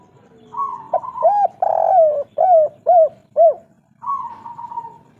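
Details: Vigorously calling spotted dove, local kuk 3 song type: steady humming lead note, then five clipped, arched coos in quick succession, ending with another long level drawn-out note.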